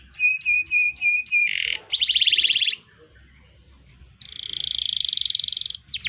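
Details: Canary singing long ngerol and ngerek rolls. A row of six crisp repeated whistled notes leads into a harsh burst and a pulsed trill, then a pause and a long smooth high roll, ending with quick sweeps.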